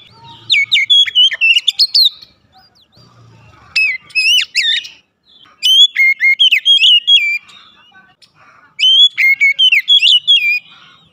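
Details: Oriental magpie-robin, a kept songbird, delivering four bursts of rich whistled and chattering notes, each phrase about one to two seconds long, with quiet gaps between them.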